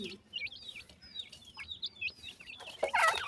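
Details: Partridge chicks chirping in a forest. A run of clear, high, wavering peeps, several sliding up then down, ending in a louder, harsher burst, with faint low murmuring underneath.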